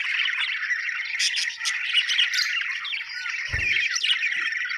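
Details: Happy budgerigars chirping: busy overlapping warbles and sharp tweets from several birds, a brief quieter moment near the middle and a low thud toward the end.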